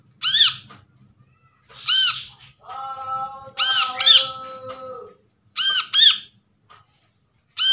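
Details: Untrained wild-caught brown-throated sunbird calling as a lure for silent sunbirds: harsh arched chirps, some in quick pairs, with a steady tonal hum running under the middle of the series.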